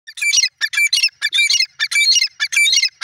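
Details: Grey francolin, known locally as dakhni teetar, calling loudly: harsh, rasping, squawky phrases of clustered notes, repeated roughly twice a second in a steady series with short gaps between bursts.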